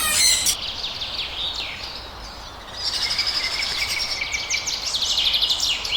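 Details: Several blue pet lovebirds of opaline type, kept in Pakistan, chatter with piercing high chirps. A brief burst comes first, a quieter stretch follows, then steady overlapping squeaky calls continue to the end.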